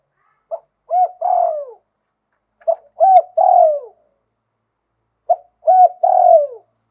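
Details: Spotted dove from Thailand singing in the lui tan style with a wild-type voice: three well-spaced phrases, each a short note, a rounded coo, then a long falling croon, in a quiet setting.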